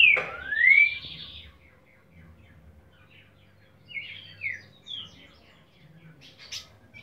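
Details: Green-winged Saltator, boiadeiro song type: opens with a loud rising whistled sweep, followed by softer scattered whistled notes and short slurs spaced about a second apart, with faint low hum throughout.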